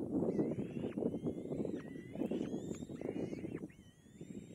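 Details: Kite chick taking a last meal from its mother, repeating long thin whistles that climb and then hold steady, each lasting about half a second, against constant low crackling and rustling.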